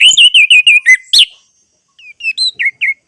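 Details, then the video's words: Orange-headed thrush song for getting a silent bird to sing: a run of six or seven repeated rich, wavering whistles, a pause, then several shorter clear whistled notes. "Terapi Anis Merah Bisu | AM Macet Jadi Gacor Coba Di Putarkan Suara AM Ini"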